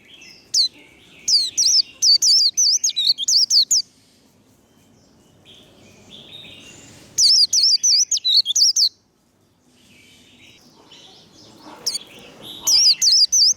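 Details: White-eye singing fiery líu đấu competition song: three separated bursts of rapid, high, slurred whistles, each packed with quick zigzag notes, divided by quiet gaps of several seconds.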